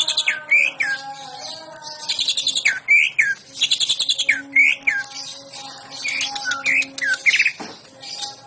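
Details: Green leafbird singing hyperactively and running through its learned song repertoire, used as a training and provocation track: a fast, varied string of sharp chirps and whistled slurs, several phrases a second, over a low steady hum.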